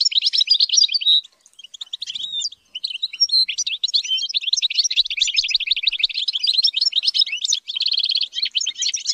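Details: European goldfinch in training for high-pitched singing delivers a long, nearly unbroken twittering song, rapid liquid chirps running into dense buzzy trills, one short pause early on, nothing else audible.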